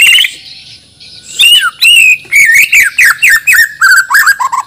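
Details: Native Banjar white-rumped shama of Borneo, trained for singing contests, delivers a bold song stuffed with imitations: a high whistle, then clipped, falling whistled notes and quick slurred phrases in rapid bursts.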